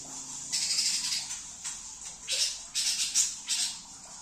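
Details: Greater green leafbird in trotol-style song: very high, bright, hissing bursts of rapid twitter, each lasting up to half a second, come in irregular clusters against a soft low background noise.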